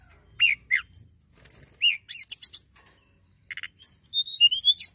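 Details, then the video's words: Hill prinia (tledekan gunung) giving a varied song of sharp chirps and slurred whistles in a fairly even rhythm, ending with a rising string of quick whistled notes. "tledekan gunung gacor"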